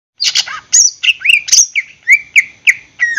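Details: Greater green leafbird, a caged bird, singing in full as a lure to set other caged birds singing: loud whistled and slurred notes, some dropping and some rising, delivered in quick bursts roughly twice a second with harsher chattering fragments.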